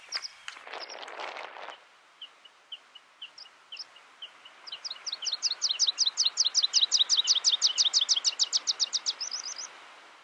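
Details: In Iceland in June 2019, a meadow pipit (subspecies whistleri) gives a few thin, spaced seep notes, then a long quickening run of high, sharp tsip notes ending in a brief trill, after an opening rustle.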